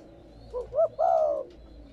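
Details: Single spotted dove phrase used to stimulate newly caught doves: two short rising notes, then one long, mellow, gently falling low coo, with a quiet background.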